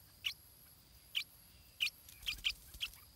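Stripe-throated bulbul chick giving six short, high, squeaky begging notes at an uneven pace, some in quick pairs, over faint background hiss.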